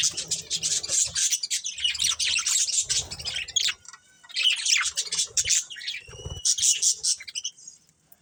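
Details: Budgerigar breeding pair warbling in continuous high chatter with scratchy chirps and a few clear whistled squeaks, easing off briefly midway.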